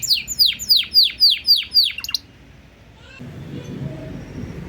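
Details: Canary master song in blak strut style, used to get other birds singing: about seven loud descending sweeping notes in two seconds, then a quiet stretch of background noise.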